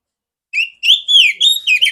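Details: Female oriental magpie-robin with a large clear voice, kept to train other magpie-robins; a loud phrase of long sliding whistles, each rising then dropping, followed by a quick jumbled ending.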